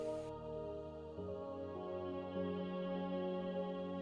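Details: Soft ambient new-age music with sustained tones and layered harmonics, and no animal voices.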